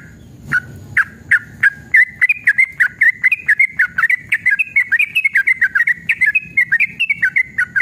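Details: Yellow-vented bulbul in a long ropel song, aggressive and excited, used to prompt caged birds to reply. Slow separate whistles soon speed into a dense, bubbling chain of short liquid notes that stays steady in pitch.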